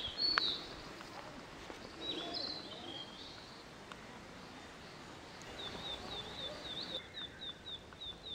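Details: Male Narcissus flycatcher at its breeding site, 25 May 2013, amid a territorial dispute between two males giving threat calls. Scattered high notes, then a fast run of short, evenly repeated chirps near the end, fairly faint under hissing background noise.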